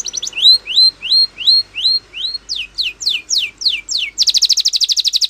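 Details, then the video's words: Spanish Timbrado canary champion song for training other canaries: a run of bright upward-curving whistles about two per second, then quick down-slurred notes, ending in a rapid buzzy trill. "Canary Training Champion Song !! Canary Bird Sound"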